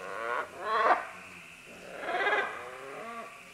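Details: Green-winged macaws in a group moving down vines: two coarse, harsh squawks about one and a half seconds apart, each with a rough, buzzy, layered tone, and fainter calls trailing after.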